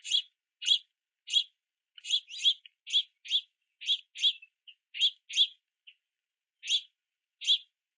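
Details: Juvenile house finches chirping and flapping wings on a platform feeder, begging parents for food in the rain; steady series of harsh, buzzy chirps, often paired, with a short lull near the end.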